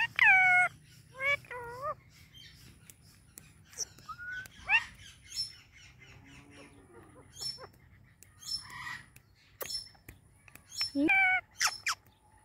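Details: Indian ringneck parrot, a talking pet bird, vocalizing while its owner touches it: loud harmonic squawks and chattering notes in short bursts, with quieter squeaks and clicks between them.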